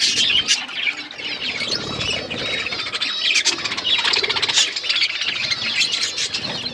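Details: Budgerigars eating food while chattering, overlapping rapid warbled chirps and squeaks from several birds, with soft wingbeat or rustling sounds underneath.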